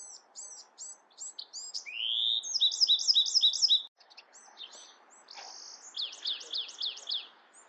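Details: Bewick's wren singing: short high chips, then a rising slurred note leading into a rapid buzzy trill of repeated notes, a brief pause, and a second phrase ending in a fast descending trill; faint background hum.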